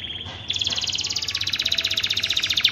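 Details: Canary mating song meant to spur other canaries: a steady fast trill of rapidly repeated bright notes, about fifteen per second, following a brief thin whistle.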